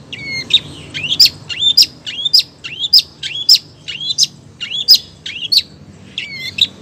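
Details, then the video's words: Long-tailed shrike female calling to the male with a fast, even run of about twelve squeaky chirps, each a low whistle leaping to a high sharp note, nearly twice a second. "cendet betina gacor manggil cendet jantan"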